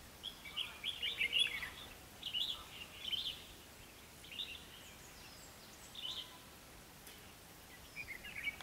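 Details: Red-whiskered bulbul used as a decoy to lure wild birds into a trap, recorded 21 October 2016 in Vietnam; short bursts of bright, chattering whistled phrases in clusters, separated by pauses, over faint background hiss.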